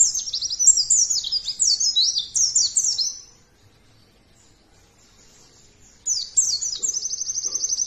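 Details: Lure song of a white-eye, meant to prompt other birds to sing: a lively three-second stream of high twittering, falling and rising notes, a quiet pause, then a fast, evenly repeated high trill starting around six seconds.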